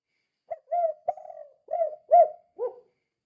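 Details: Spotted dove call used as a lure to prompt other doves to call: a short run of soft, low coos of uneven length, one slightly drawn out, ending in a brief final note, against silence.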